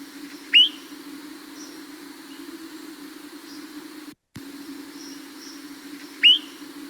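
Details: Swainson's thrush flight call, heard during fall migration on migration nights and likened to a spring peeper: two short, rising peeps about six seconds apart over a steady low hum.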